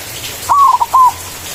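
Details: A big-voiced white zebra dove delivers one manggung phrase for calling a rival: long coo sliding slightly down, two quick short notes, and a steady final coo, mellow and clear against quiet surroundings.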